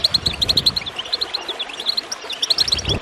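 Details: High, sparkling goldfinch chirps pour out in a steady stream, played to stimulate birds to sing. Gurgling water rumbles low at the start and again near the end.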